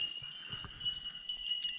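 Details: Bell Miners in Lantana-choked forest with dying gum trees, Queensland or New South Wales, ring out in a steady, high, bell-like tinkling, several birds blurring into one sustained chime, with faint low murmurs beneath.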